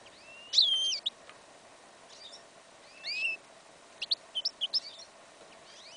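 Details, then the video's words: Goldfinch and yellow isabel canary hybrid singing in a field in winter, an incomplete song: sharp whistled sweeps and a rising trill near one second, a bright note at three seconds, then a quick run of short chirps. "Прослушка гибрида щегла"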